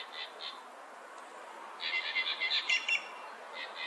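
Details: Inca jay calls: two brief nasal notes at the start, then a rapid run of about seven ringing harmonic notes in just over a second, with fainter notes trailing at the end.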